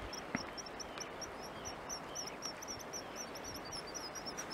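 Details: Black guillemots in Iceland in June 2022 give thin, very high piping whistles in quick, overlapping series over a steady rush of wind and surf.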